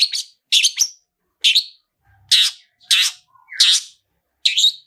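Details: Long-tailed shrike "toet toet" song used as a lure to prompt other shrikes to sing: seven harsh, buzzy bursts, each under half a second, separated by short pauses, with a few brief whistled slurs.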